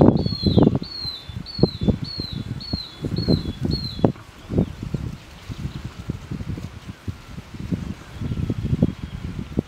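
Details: Long-tailed broadbill, displaying its plumage, gives a run of about seven shrill, high whistled notes, roughly two per second, over heavy low thumping and flapping noises.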